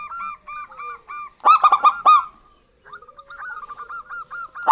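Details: Local zebra doves, male and female answering each other as a lure for other birds; soft repeated coos, one loud burst of ringing staccato notes, a short pause, then renewed quick soft cooing.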